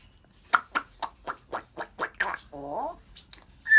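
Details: Laughing African grey parrot: a rhythmic series of about eight short bursts, roughly four per second, then a lower, croaking, rising syllable and the start of a whistle.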